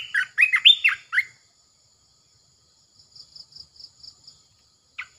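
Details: A caged red-eyed bulbul gives a short burst of bubbly, rich whistled phrases, then a quiet run of about ten high, even chips and one last brief note.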